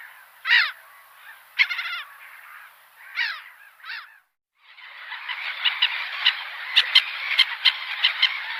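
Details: Gull uttering four separate harsh, slurred calls over the first half, followed by a steady broadband rushing noise with scattered sharp clicks.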